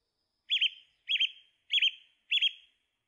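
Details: Song thrush repeating one looping, wavering whistled note four times at regular intervals, each with a short fading tail, in otherwise quiet surroundings.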